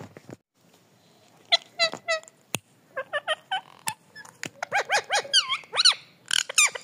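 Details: Pet parrot talking and jumping about, giving short bursts of harmonic, nasal squawks and whining calls with rising and falling tones, separated by sharp clicks and brief pauses, growing busier toward the end.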